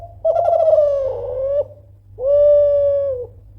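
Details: Loud call of a Kelantan spotted dove, used to rouse rivals to reply: a warbling first coo sliding slightly downward, a gap, then a sustained even-pitched coo ending abruptly.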